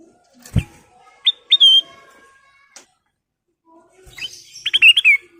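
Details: Ruby-throated bulbul full song with fills, used as a lure: two clear whistled notes, a pause with a tap, then a fast bubbling run of warbled whistles, in a quiet setting.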